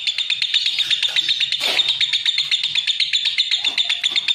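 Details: Shrill rapid chattering from a lovebird, about four sharp chirps a second in a steady trill, with soft low rumbling noise and a brief muffled sound in the background.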